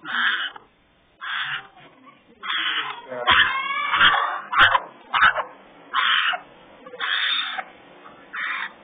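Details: Three baby African grey parrots in a parrot rescue aviary give harsh, nasal, raspy calls in bursts of about half a second, repeated irregularly roughly once a second, with short pauses between.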